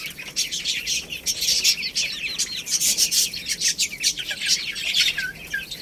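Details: Baby chickens feeding on rice give a busy chorus of shrill, rapid, overlapping peeps, each a short high squiggle or downward slur, packed without pause, mixed with crisp tapping clicks and a pair of clearer lower chirps near the end.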